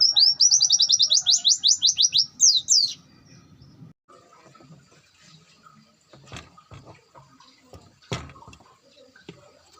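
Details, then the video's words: Bongkar isian song of a long-tailed shrike, recorded as masteran: a fast, even series of downward-swept high whistles for about three seconds, then faint background knocks and rustling. "Ngalas panjang bongkar isian."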